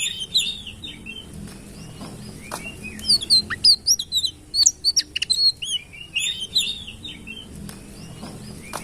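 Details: Lively high-pitched song of a sitrun: scattered chirps at first, then a dense run of quick twittering notes and sharp clicks through the middle, trailing off into sparser chirps against a low steady hum.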